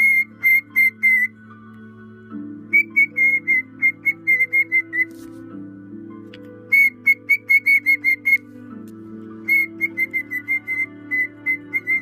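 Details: A pet cockatiel, whistling happily while on a bed indoors, gives bursts of short, clear, even-pitched notes over a low indoor hum.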